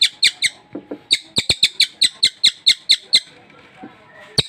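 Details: Sultan tit, a newly obtained cage bird in full voice, giving a run of bright, clipped chirps at a steady clip, then a short lull with faint murmuring before more notes resume.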